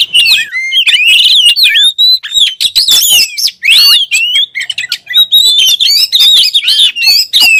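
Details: Oriental magpie-robin (kacer) song: a loud, fast run of varied clear whistles that swoop up and down, mixed with short sharp chirps and buzzy notes, almost continuous with brief gaps and no other sounds.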